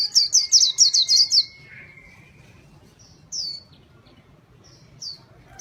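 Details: Vigorous white-eye song used as a lure: an opening volley of about seven rapid, piercing high chirps in a tight series, then a pause and a few isolated thin, high notes spaced a second or more apart.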